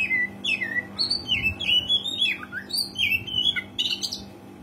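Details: Oriental magpie-robin, described as a gacor (frequently singing) bird used as a lure to prompt rarely singing birds, giving a continuous varied song of whistled, slurred notes rising and falling, with a steady low hum underneath.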